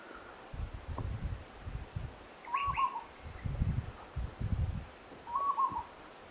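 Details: Peaceful Dove at Monarto Woodlands, South Australia, 26 July 2020, giving two brief, soft, slightly rolling coos about three seconds apart, over a steady low rumble of strong wind.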